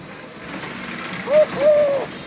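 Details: Owned Eurasian collared dove calling in a village: a short mid-pitched coo followed by a longer, slightly falling coo, over a steady background hiss.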